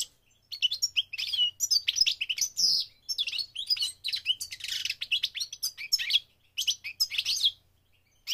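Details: Continuous sweet twittering song of a migrating goldfinch, with quick chirps, short trills and scratchy notes tumbling together in a steady flow over a quiet background.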